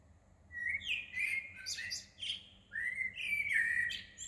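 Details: Small bird singing early in the morning on 15 June 2020 at Shah Jahan Mosque in Woking, a varied run of bright whistles and chirps rising and falling, over a low steady hum.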